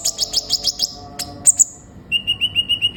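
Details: ['Energetic sunbird song: a quick run of high chirps, two piercing notes, then an evenly spaced series of lower, clear tweets at about five per second.']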